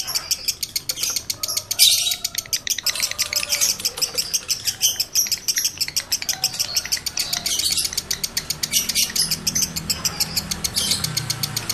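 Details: Breeding-condition male lovebird chattering to stimulate other males; a long run of rapid, clicky high chirps at a steady quick pace, a few louder squeaky bursts breaking through.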